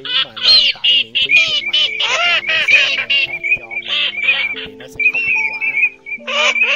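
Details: Pheasant-tailed jacana male and female calls, used as a lure for night net-trapping of migrating birds in August 2023: loud, nasal, mewing calls in quick bursts, some with falling wavering notes, over steady low humming tones.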